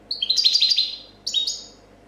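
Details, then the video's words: Champion goldfinch, 2014 competition bird, in clean copia song: a long liquid twittering run of jumbled descending notes, then a shorter trailing phrase after a brief pause. "Chardonneret chant copia champion 2014"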